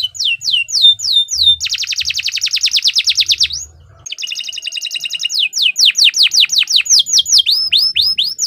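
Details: A bottle-green canary sings hard, ready for competition: sharp descending whistles run into a fast rolled trill. After a short gap near the middle, more trills and repeated falling sweeps follow.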